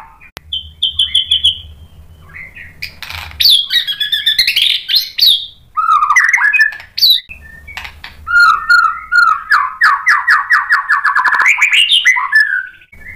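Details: White-rumped shama singing to provoke a rival into song, a varied medley of high whistles, sharp sweeping notes and fast rattling trills, with rapid repeated phrases building toward the end.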